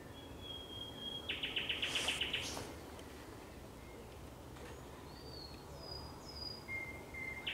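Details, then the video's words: A thrush nightingale sings at sundown on 30 May 2021, opening with a level whistle that breaks into a quick pulsing trill of about ten strokes, followed by scattered thin whistles in a calm evening. "Śpiew słowika szarego przy zachodzie Słońca"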